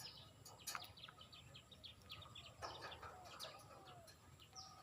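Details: Pet budgerigars at feeding time, eating seeds and treats, chirp in quick, scratchy bursts, with high twittering notes overlapping in a busy chatter.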